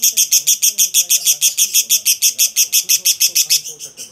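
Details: Two lovebirds call to each other, trading harsh, shrill shrieks in a fast, steady stream, about five a second, with faint television speech murmuring underneath.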